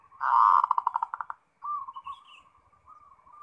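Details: Zebra dove (perkutut), a lively 'ngerot' singer meant to lure other doves into song: a loud rapid pulsed trill that slows and fades, then a softer wavering coo with a faint higher chirp.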